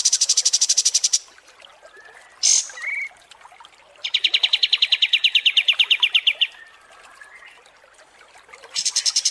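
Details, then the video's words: Kapas tembak songbird in an extended training recording for contest birds: high rapid stuttering notes, a short whistle, then a long fast chattering trill, and another high stutter at the end. "MASTERAN KAPAS TEMBAK DURASI PANJANG"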